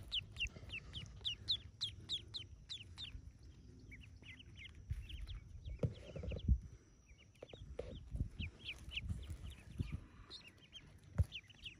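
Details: Yellow ducklings hatching in a cave nest, roughly forty of them, peeping constantly: shrill arched chirps in rapid overlapping runs, pausing briefly midway, over low rumbling background noise.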